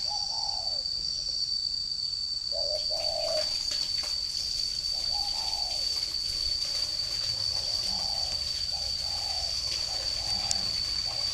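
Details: Caged spotted dove kept as a ground decoy bird in a round cage, Ba Vì, Hanoi, Vietnam, June 2018: soft low coos in short repeated phrases, with a steady high-pitched whine and rustling noise throughout.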